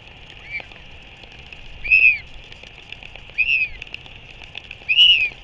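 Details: A royal albatross chick in New Zealand gives four short, arched whistles, rising then falling, about every one and a half seconds, while being fed by its father; such high-pitched calls stimulate the adult to regurgitate food. Steady high background hiss.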